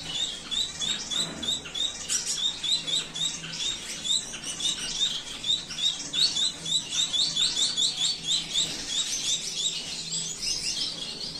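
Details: Lutino Gouldian finches, a pair kept in an aviary, during courtship dance; thin high chirps and buzzy notes in dense, continuous series with some rustling.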